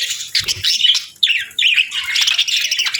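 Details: Parakeets feeding on warm meals on a winter morning: busy, squawky chirps and warbles in bursts, with short gaps of near silence between flurries of chatter.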